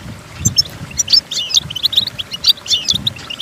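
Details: Goldfinch song for teaching goldfinches to sing: bright, liquid twittering with slurred whistles and quick chirps packed closely together, over faint low thumps.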